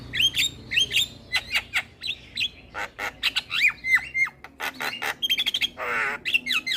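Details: Black-winged myna song played to train and provoke quiet mynas: varied chattering notes, sharp clicks and slurred whistles in irregular bursts, ending in a loud harsh grating note and quick chips.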